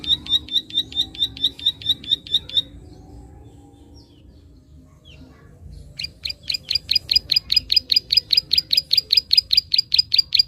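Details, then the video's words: Prinia 'klik' call meant to stimulate young birds: a run of crisp high ticks stops after under three seconds, silence follows, then a louder, faster stream of clicks resumes and continues to the end. "Prenjak Klik gacor ampuh merangsang burung bahan"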